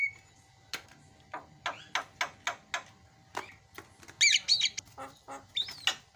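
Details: Javan myna giving a very noisy isian song used as a tutoring recording: harsh, broadband squawks and rasping notes in uneven bursts, then a dense run of high chattering whistles and short rising whistles near the end.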